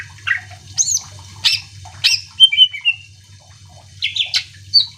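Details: Greater green leafbird singing to provoke other birds into answering: clear whistled phrases, sharp downward-sweeping chips and a short warbled run, separated by brief pauses, over a steady low hum.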